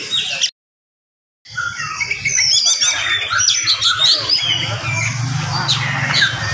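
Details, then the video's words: Oriental magpie-robin's fast, close-packed morning song intended to excite rival magpie-robins: after a brief silent gap, varied high whistles, trills and chattering notes pour out continuously above a low rumble. "SUARA KACER GACOR DIPAGI HARI SPEED RAPAT cocok untuk naikin emosi kacer yang dengar"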